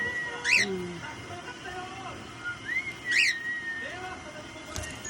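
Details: A newly acquired pet whiteface cockatiel gives two loud, shrill chirps that rise then fall, about three seconds apart, with soft human speech and faint background noise between them.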